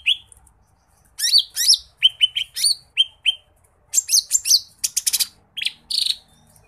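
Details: Lesser green leafbird in rich tutor song: after a quiet second, sharp downslurred whistles repeat at a steady pace, followed by clustered harsh, rattling notes and high squeaky chips.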